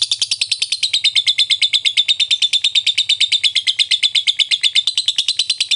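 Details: Fighter-style lovebird ngekek with ngetik clicks, meant to get quiet lovebirds to reply: a long continuous stream of shrill, rapid chattering chirps, about three per second, evenly paced throughout, over a faint low background hum.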